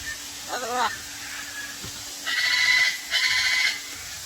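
A young macaw gives a short wavering, nasal squawk, then two raspy hissing bursts about a second apart, each about half a second long.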